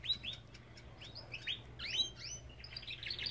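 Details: Belgian canary in an aviary singing a short series of upward-sweeping chirps, about three per second, with a faint hum in the background.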